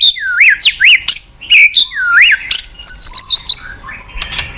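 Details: White-rumped shama lure song to prompt a lazy caged bird to sing. Upswept whistled notes repeat about twice a second, then a quick high wavering phrase and scattered sharp chips.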